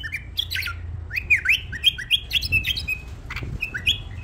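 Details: A pet bulbul, kept tame, gives lively whistled phrases: quick upward-slurred notes followed by a steady string of clear chirps, then a few higher whistles. Faint low rumble underneath.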